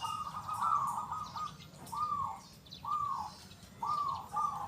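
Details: Local zebra dove singing actively with a big, loud and clear 'kung' voice; a run of smooth mid-pitched coo phrases, one long then three shorter, about a second apart, against soft ambient hiss.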